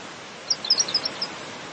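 Pink Robin giving a quick run of six or so thin, very high ticks within under a second, over a steady background hiss.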